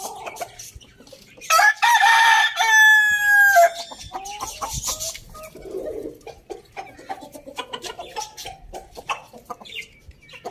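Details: Rooster giving a morning crow, a rich, brassy two-second cock-a-doodle-doo with a long steady final note, followed by busy clucking and scratching noises from the flock.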